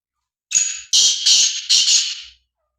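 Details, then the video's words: Black francolin recorded on Thursday, 8 February 2024, giving a loud, harsh, grating call: one drawn-out first note, then three or four rasping, clipped notes in quick succession, all high and broadband, over a quiet background. "kala Teetar Ki awaaz کالا تیتر کی آواز"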